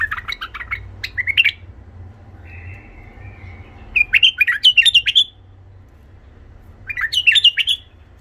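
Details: A tame Iraqi white-eared bulbul with a harsh voice sings bursts of rich, gurgling, warbled phrases, two to three seconds each, with a short buzzy note between bursts; faint room hum below.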